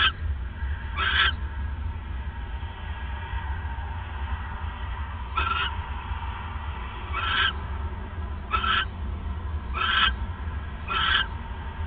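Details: Owl at night on December 28, 2014, around 9:42 PM, as a male brings a third mouse; six short, harsh, hissing bursts come at irregular intervals over a steady low hum.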